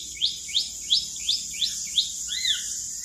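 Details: Asian pied starling song phrase, recorded to prompt other birds to sing: six sharp upswept notes roughly every third of a second, ending in an arched whistled slur, with a steady high hiss throughout.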